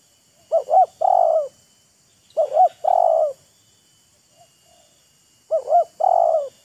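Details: Wild spotted dove and a decoy dove showing off their voices, taunting and enticing each other: three loud cooing phrases, each a quick double wavering note then a longer, lower, steady coo, about two seconds apart.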